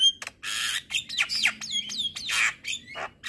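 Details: Javan myna in the morning giving a short, dense song of scratchy, buzzy phrases with curving whistled notes sliding up and down between them.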